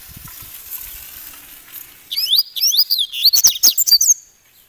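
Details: Coleiro, the double-collared seedeater, delivering grego paulista gravata style song: a rapid series of high, clear, swooping whistles, rising then dropping steeply, in a tight burst of about a dozen notes over faint background hiss.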